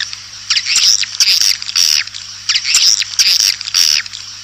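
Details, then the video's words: Swiftlet lure call: short bursts of shrill, rapid twittering chirps repeated about every second, with a steady low hum between bursts. "Suara Panggil Burung Walet"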